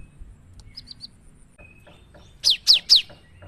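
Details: Cinereous tit in lively 'gacor nembak' singing style, used as a lure for other birds: a few faint high notes, then three loud, sharp, downslurred whistles in quick succession near the end.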